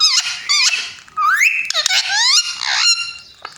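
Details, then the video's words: Indoor parrot doing cat-like mewing: bright wavy harmonic notes, a steeply rising glide that levels off, and rapid sliding squeaks in a continuous stream. "Parrot talking in cat voice"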